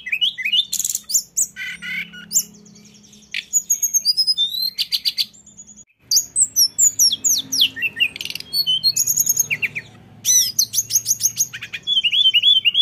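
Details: Rolling 'ngeroll' song of a lesser shortwing: long bursts of very high, rapid chattering notes, trills and upslurred whistles, broken by a brief pause midway, then resuming equally fast over a soft low hum.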